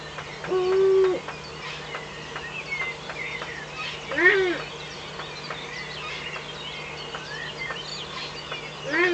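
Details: Eurasian eagle-owl at its nest in the Eifel, 17 May 2013 at 05:40 at dawn, with a visiting owl off camera: a steady low harmonic call, then a louder arched call mid-clip and another at the end, over a dense dawn chorus of songbirds.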